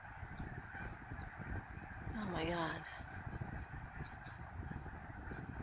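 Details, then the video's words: Snow geese at Middle Creek, 23 February 2019; a massed flock keeps up a steady wash of nasal honks, with one nearer bird giving a sharp rising-falling yelp in the middle, over low rumble. "Snow Geese at Middle Creek"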